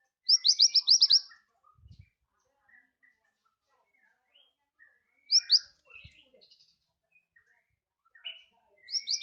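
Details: Scarlet minivet singing vigorously as a master bird for training others: an opening burst of about seven rapid high rising whistles, then scattered softer chirps, a pair of whistles midway, and another short run at the end, with occasional thumps.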